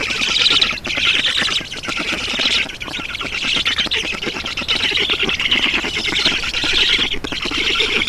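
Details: Black storks on their nest in Estonia, 7 June 2019, mid-morning, while an adult brings water. Sustained hoarse, buzzing squawks with rapid pulses, pausing briefly around 0.8 and 7 seconds.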